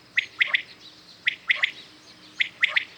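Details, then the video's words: Common quails calling at dawn: quick, ringing three-note bursts, each pip sharp and high, repeated three times in quick succession. "Today common quails calling"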